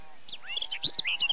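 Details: Barred warbler at Erdőhorváti, Zemplén region of Tokaj, Hungary, May 2013, filmed on a Canon EOS 7D; a short burst of quick, grating warbled notes that swells toward the end.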